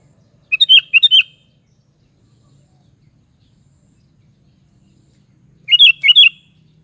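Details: Two brisk phrases from a sooty-headed bulbul, each a chattering burst of about six liquid, up-and-down whistled notes, separated by roughly five seconds of near silence.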